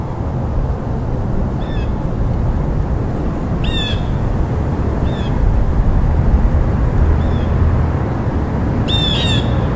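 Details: Blue jay with irregular harsh calls. Some are faint and short, others louder and rasping, with a strong burst near the end, over a heavy low rushing noise.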